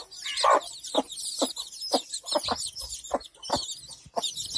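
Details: Mother hen beside her chicks, giving a steady series of brief, low clucks roughly every half second. Shrill, overlapping peeps from the chicks fill the background throughout.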